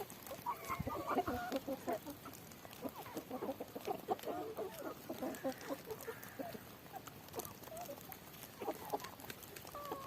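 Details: Young chickens in a coop, heard just after being given a bucket of freshly gathered grass: busy, overlapping clucks and short chirps form continuous excited chatter throughout.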